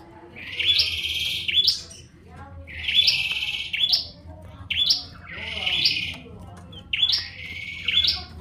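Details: Bar-winged prinia delivering a steady run of five buzzy, rising phrases about every one and a half seconds, each closing with a sharp upward note, over low background noise.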